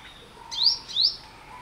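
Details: Two brief, sharp, upward-sliding high notes from an Olive-backed Sunbird, close together.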